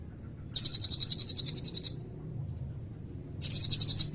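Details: Blue-crowned hanging parrot with a red breast singing a long 'cililin' filler, used to teach white-rumped shamas and Oriental magpie-robins: a piercing trill of about sixteen quick pulses lasting over a second, then a shorter trill after a pause, with faint low hum.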